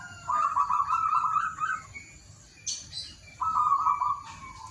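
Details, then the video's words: Local wild zebra dove singing in the morning, used to prompt reluctant doves to sing: two rapid, trilled coo phrases near one pitch, each about a second and a half, separated by a pause with a brief rustle. "PANCINGAN TERAPI PERKUTUT MALAS BUNYI DI PAGI HARI"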